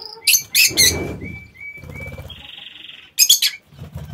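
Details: Aviary lovebirds: three loud shrill shrieks open, followed by thin level whistles and a buzzy held note, then another quick pair of sharp squawks near the end, with faint rumbling background.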